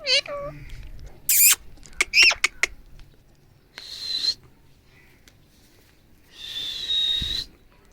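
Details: An angry, agitated Alexandrine parakeet gives harsh, grating screeches in irregular bursts, with sharp squawks between longer rasping cries, in an otherwise quiet room.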